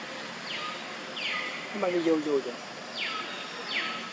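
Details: Group of mynas in Cambodia talking and singing together: scattered descending whistled notes and a short nasal, harmonic phrase in the middle, over steady background hiss.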